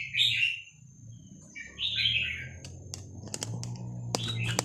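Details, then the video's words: Vietnamese-type red-whiskered bulbul singing its 3-4-5-6-7 style song, played to teach young birds and to excite other birds; two bright, warbled phrases about two seconds apart, followed by sharp clicks and knocks over a low background hum. "นกกรงหัวจุกเวียดนาม 3-4-5-6-7 เปิดสอนลูกนก เปิดยั้วนกฟังนกคึก"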